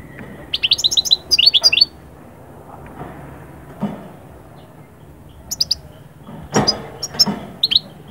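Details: European goldfinch song, played to bring birds out of the calm of moult into summer breeding excitement. Short bursts of bright, liquid twittering notes alternate with pauses, over a faint low hum and a few soft thuds.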